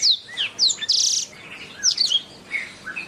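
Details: Canary singing, recorded for training songbirds: quick high whistled downslurs, a brief harsh buzzy burst near one second, then more sharp sweeping notes and a short lower whistle.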